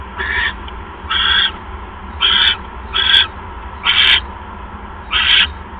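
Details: Owl at the nest as prey, a mouse, arrives on the evening of 1 January 2015; six separate harsh, hissing screeches, each roughly a third of a second, spaced about a second apart over quiet hum.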